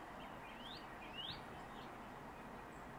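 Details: Northern mockingbird at its nest site in southwestern Virginia on 7 March 2021; two quick rising, sweeping whistled notes, the second sharper and louder, over a steady broad background hiss.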